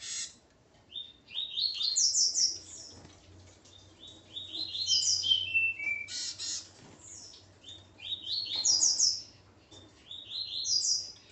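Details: High, rapid warbling from a male coleiro (double-collared seedeater) kept with his female: repeated cascading phrases of sharp descending chirps roughly every two to three seconds over a soft low hum.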